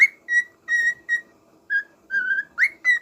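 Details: Little pet parrot singing: short, pure whistled notes with ringing overtones, mostly steady in pitch, one longer wavering note and a final quick upward slide, spaced with short pauses in a quiet room.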